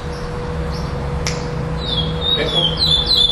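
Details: Chestnut-bellied seed finch, second place at a singing tournament in Florianópolis on 11 December 2011, sings clear, high whistled phrases of looping, falling notes in the second half, over a steady low hum and background noise.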